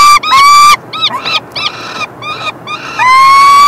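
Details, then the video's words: Peregrine falcon chicks fed by the male, 3 June 2024. Mixed begging: a loud scream, then shorter, softer broken cries and chitters, ending in a long, strong, rising scream. "(le mâle) nourrit les fauconneaux"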